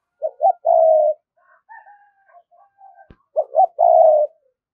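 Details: Spotted dove used as a decoy to draw wild birds in, 'giọng thổ' voice style: two short notes and a long low coo, repeated, with fainter higher, thin calls in the pause.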